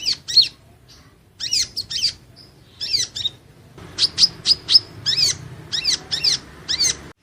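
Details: Van Hasselt's sunbird (Leptocoma sperata) in training: high chirps in scattered groups at first, then a regular run of about a dozen sharp, arched notes, some with a brief buzzy tone, over faint background hum.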